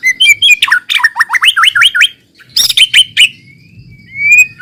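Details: Lure song of a white-rumped shama for getting novice birds to sing: bubbly rising notes, a quick series of hooked whistles, harsh chatter, and a long thin whistle at the end.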